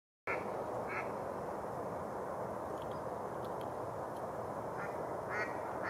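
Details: Mallards gather on ice-melted open water near the shore of Rush Lake, New Brighton, Minnesota, in early spring at about 60 F, giving a few short nasal quacks spaced irregularly against a steady rushing wash of wind or water.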